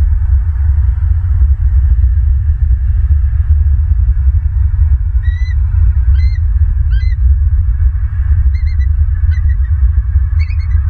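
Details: Bald eagles at a Southwest Florida nest camera, 23 October 2022 at 19:11: short, thin, high chirped notes in scattered bursts of two or three, partly masked by a loud, steady low rumble throughout.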